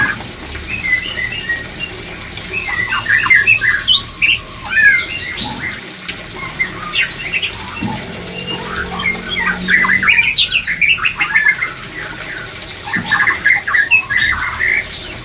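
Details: White-rumped shama singing to stimulate breeding drive: long bursts of varied chirps, squeaks and whistled figures, pausing briefly in the middle, with a hissing, water-like background.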